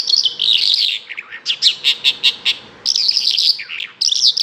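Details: Song of a bimaculated lark: rich, jangling warbled phrases alternating with a series of about eight evenly spaced, sharp chirps, then more fast, buzzy twittering.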